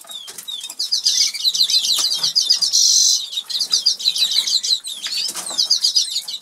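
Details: Norwich canaries, a pair kept in a cage in an aviary in England, sing while feeding: lively high chattering trills and quick repeated notes in a near-continuous flow, with soft pecking clicks.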